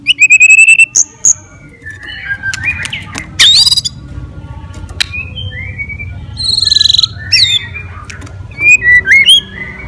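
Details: White-rumped shama provoking song: quick repeated notes, then a mix of whistled slurs, sharp clicks and high squeaky phrases, loud and varied with brief pauses between bursts.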